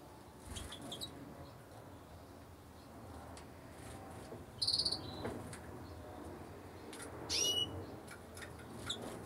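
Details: An incubating white-winged crossbill (Loxia leucoptera) gives two brief, high chipping calls about three seconds apart, the second sliding upward, over a steady background hiss.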